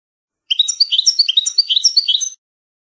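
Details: Original-style European goldfinch song from a rare old tape: a bright, rolling two-second phrase of rapid, repeating whistled slurs, with no background noise.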